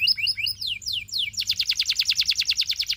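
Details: Training song of a canary meant to draw others into singing: chirped note pairs and three sweeping falling whistles lead into a steady, rapid trill of identical notes.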